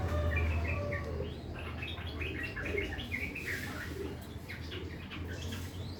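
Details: Sooty-headed bulbul, a kept bird, chattering at morning in its harsh 'ngriwik' manner: hurried bursts of short chirps and slurred twitters, loosely repeated, against a low droning background.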